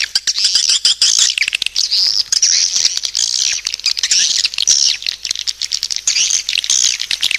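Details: Swiftlet lure call: a dense, continuous high twittering of overlapping chirps and short trills, with brief clicking ticks scattered throughout and no pauses.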